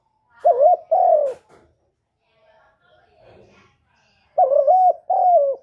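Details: Spotted dove, kept as a lure bird, gives two-part coos, a quavering note followed by a longer sliding one, twice, with faint murmur between.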